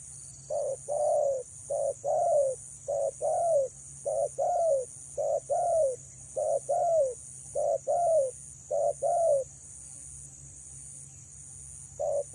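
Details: Long run of coos from a female spotted dove luring males: paired low notes, a short hoot then a longer falling coo, repeated about a dozen times at a steady pace before a pause and one more pair.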